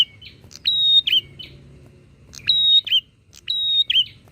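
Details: Bar-winged prinia singing in energetic back-and-forth exchanges meant to rile other prinias; three phrases of crisp clicks, a level piercing whistle and a quick dropping twist, repeated about every second and a half.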